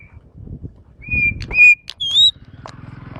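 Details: Asian pied starling, a champion bird at a song contest, delivers a loud run of clear whistles, a level note and then a higher rising one, with short clicks and a steady low hum beneath.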